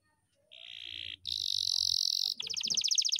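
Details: Canary rolling its song without a break: a low buzzy trill, then a brighter high buzz, then a rapid pulsing rattle of repeated notes.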